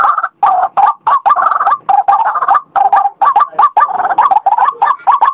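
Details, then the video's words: White-breasted waterhen, a lure call for trapping, gives a loud, rapid series of harsh, nasal repeated notes in short bursts with brief gaps, a steady chattering rhythm. "suara burung ruak ruak pikat"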